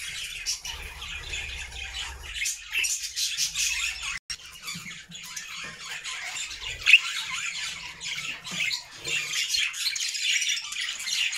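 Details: Budgerigar flock singing in a homemade cage indoors: scattered high chirps and scratchy squawks, thinner in places, with soft low thumps and a sharp click near the middle.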